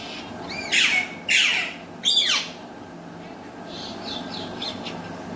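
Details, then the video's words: Captive Alexandrine and ringneck parrots kept as Urdu and Hindi talkers; three strong rasping squawks in the first half, then soft, thin chirps and twitters trailing off over a low steady background hum. "alexandrine and ringneck talking parrot"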